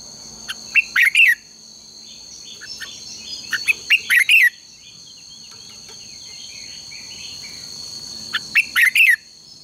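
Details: Red-whiskered bulbul morning contest song, used as a lure for training: three short, bubbling, warbled phrases a few seconds apart, each led by brief chips, over a constant high-pitched whine.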